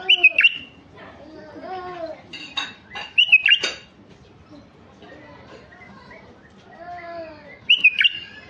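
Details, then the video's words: Male mutation Iraqi (white-eared) bulbul singing, a recording meant to lure wild bulbuls: three short, loud, bubbly whistled phrases spaced about three to four seconds apart, with softer, lower murmuring sounds filling the gaps. "تغريد بلبل عراقي طفرة فحل لفتح البلابل الوحشية الخام"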